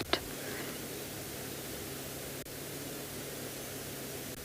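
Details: Steady static hiss with a low hum, a sharp click near the start and a brief dropout midway; no animal calls are heard.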